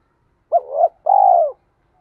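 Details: Spotted dove coo used to lure and train birds: a wavering two-part coo followed by a longer, steady, slightly pulsing low coo.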